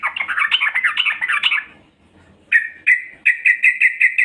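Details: Female yellow-vented bulbul calling to lure males: a dense harsh chattering run for over a second, a pause, then a string of sharp repeated notes at an even pitch, about three per second.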